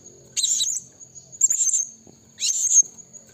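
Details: Blue-crowned hanging parrot calling out to forest rivals as a trapping lure. Three shrill, squeaky bursts, each about a third of a second, about one per second, some notes dropping in pitch, over a faint continuous high whine.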